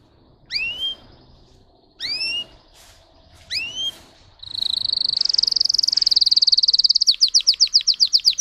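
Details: Russian canary bred for song gives three separated, sharply rising whistles with pauses between, then launches into a continuous high rolling trill that breaks into fast pulsed notes; faint background noise.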